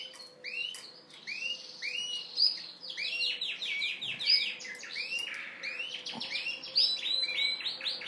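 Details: Male Yorkshire canary courting a hen with singing and dancing. Dense, fast song of repeated upward-sweeping notes and trills, running on without pause. A faint low hum and a couple of soft thumps are heard.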